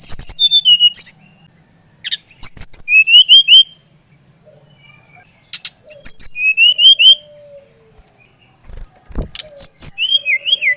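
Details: Repeated song phrases from a Bali brown-chested jungle flycatcher, meant to excite other birds into song; four bursts of fast slurred whistles descending in pitch, about every three seconds, with soft low notes and occasional knocks.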